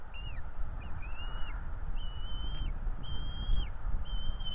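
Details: Begging of two bald eagle nestlings while being fed at a Florida nest, 5 April 2022: five sharp, high whistled notes about one per second, some slightly rising, above steady low wind noise.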